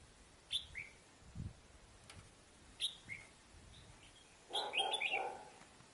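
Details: Decoy red-whiskered bulbul near the end of its moult, Việt Yên, Bắc Giang, Vietnam, making ché chéc calls: isolated sharp chirps a few seconds apart, then a fuller run of quick notes, over soft background noise.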